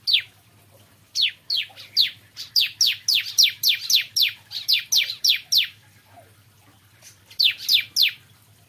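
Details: Bar-winged prinia in morning song, giving a long even series of about fourteen piercing, downward-sweeping notes, a short pause, then three more in quick succession; soft background hum.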